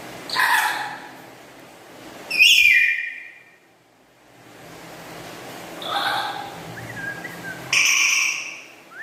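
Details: Kept black-capped lory giving loud, melodious chatter: harsh broadband bursts, a sharp whistled upslur, then further ringing calls spaced a few seconds apart, with faint room noise between.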